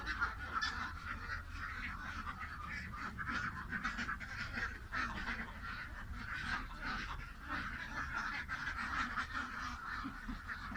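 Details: Massed ducks quacking in an unbroken, busy chorus, countless rough nasal calls overlapping, loudness pulsing slightly, over a constant low background rumble.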